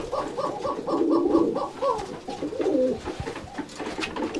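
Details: Rajshahi Giribaj pigeons on a farm in Bangladesh, recorded indoors: a run of soft, low cooing notes pulsing quickly at first, then a slower rolling coo, with faint room noise.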